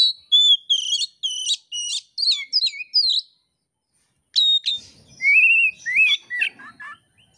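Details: Singing oriental magpie-robin (kacer), material for songbird keepers in Indonesia: a rapid string of clear, varied whistled notes, some slurred up or down, a silent pause, then a rising whistle and twisting phrases.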